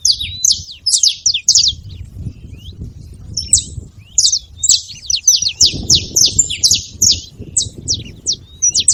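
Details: Bright, rapid chipping by a saffron finch, clusters of sharp high notes coming in quick runs and brief gaps across nine seconds, with a muffled low rumble growing louder later.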